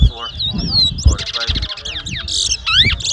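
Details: Chestnut-bellied seed finch in a Guyanese whistling contest at Mahaica in 2022: a sweet whistled run, then rasping buzzes and sharp swooping notes follow in rapid succession, with crowd noise behind.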